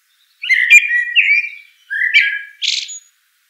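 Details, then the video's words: Rich caroling song of a common blackbird (Turdus merula): two warbled, flute-like phrases in quick succession, the second closing with a harsh, scratchy high burst; clean background. "Bird Song - Common Blackbird"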